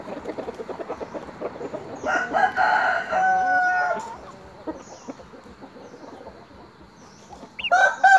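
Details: Fighting rooster crowing in the morning among game cocks raised in a rubber plantation: one harmonic crow of about two seconds, a second crow starting at the end, and soft clucking from other birds throughout.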